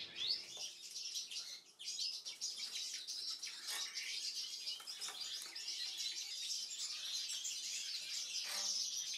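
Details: Siberian goldfinches, three captive birds that are just finishing their moult, twitter in a fast, continuous stream of high, tinkling chirps and trills, with several birds calling together indoors.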